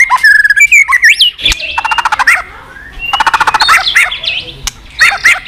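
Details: White-rumped shama singing continuous tạch: whistled phrases broken by rapid, evenly spaced click rattles and sharp snapping notes, with varied upslurs between.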